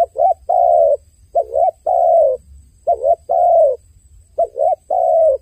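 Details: Crying dove giving mellow low coos, each phrase a quick two-part note then a longer sustained coo, four phrases spaced roughly a second and a half apart, with faint background hum.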